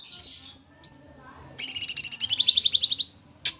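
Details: Aviary-kept sooty-headed bulbul from Banyuwangi in full, energetic song: three quick high chirps, then a rapid rattling trill of about fifteen notes lasting around one and a half seconds, and one last sharp chirp; faint low background hum.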